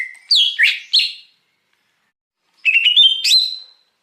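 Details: Wild Greater Green Leafbird singing, a lure recording for catching wild birds: three quick bright slurred whistles, a pause of over a second, then a rising rattling phrase ending in a sustained clear whistle.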